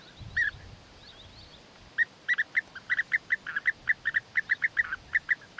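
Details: European bee-eaters during courtship, the male offering food gifts to the female; after a brief pause, a rapid run of liquid, rolling 'prruip' calls repeated several times a second.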